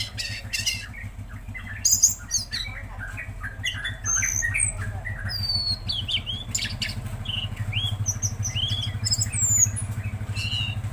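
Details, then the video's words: Tledekan Laut singing vigorously: a dense string of short chirps and clicks with quick slides, over a loud, constant low mechanical drone. "Masteran Burung Tledekan Laut Gacor"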